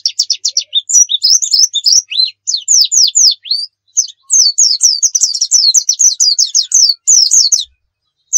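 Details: Lure recording of a white-eye's 'nembak' song: a continuous torrent of sharp, high downslurred notes in rapid bursts, with brief pauses between phrases.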